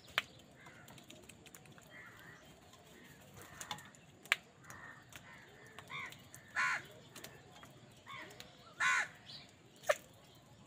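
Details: Crows contesting food with wild birds: faint scattered caws build to two louder rasping calls later on, with sharp ticking knocks in between against a quiet outdoor background.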